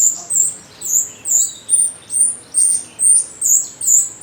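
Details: Jalak rio starling used as a lure to prompt other birds to call back: shrill, high-pitched squeaky notes in quick succession, about two or three per second, over faint background hum.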